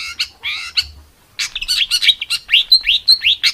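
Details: Rough 'tembakan' style song for training competition birds: raspy buzzy notes, a short pause, then a string of bright rising upslurred whistles repeated in quick succession.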